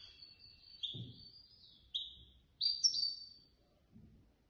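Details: Goldfinch placed third in a singing contest run by a Casablanca bird association, giving sliding whistled notes and short chirps, ending in a brighter twittering flourish, with faint thumps underneath.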